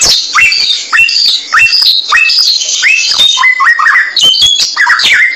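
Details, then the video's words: Samyong bird song recorded for songbird tutoring: spaced whistled notes that swoop up then fall, roughly two per second, with sharp ticks and a thin high buzz running along above them. "Mastran burung samyong"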